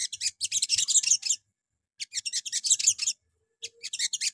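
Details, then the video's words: Morning lure song of sogon meant to set other sogon singing: three bursts of rapid, high, buzzy chatter, each about a second long. "PANCINGAN PAGI HARI SOGON LANGSUNG NYAUT"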